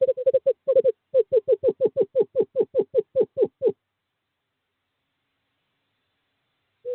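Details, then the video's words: In courting season on 2/11/2023, a male screech owl calls a female to a nest box. A quick series of hollow, slightly falling notes lasts under four seconds, then silence, with one note returning at the end. "Male screech owl calls female to owl box 5"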